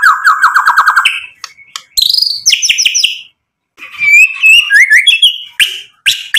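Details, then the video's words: White-rumped shama in full, lively song, played to provoke rival birds into answering: fast rattling trills, then bright whistled notes and rising, sliding phrases, varied and loud, with short pauses between bursts. "MURAI BATU GACOR bikin EMOSI lawan jadi NYAUT"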